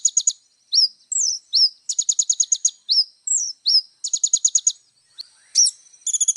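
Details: Little spiderhunter (kolibri ninja) in vigorous varied song for tutoring young birds; quick swooping chirps lead into short rapid high trills, then a brief rattle near the end.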